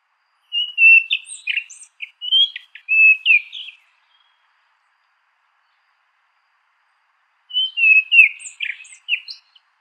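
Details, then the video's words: Orange ground thrush sings a rich, varied phrase of high whistled notes and twitters for about three seconds, then a similar phrase after a pause, with no other sounds; Orange ground thrush. "Orange Ground Thrush Song"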